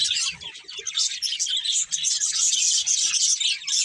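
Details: Chirping from a budgerigar breeding pair: rapid, scratchy high twitter with quick repeated tweets, about four notes a second, steady throughout.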